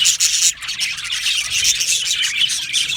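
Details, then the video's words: Several yellow male budgerigars in an aviary chirping together, a continuous high rasping warble with fast scratchy notes and no pauses. "Beautiful Yellow Male Budgies Birds Chirping sounds"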